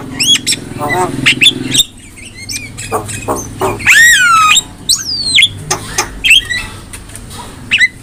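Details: Singing Javan myna used as a master recording for teaching other mynas: mixed clicks and squawks, then a long downward-sliding whistle and a rising whistled phrase, with low background rumble.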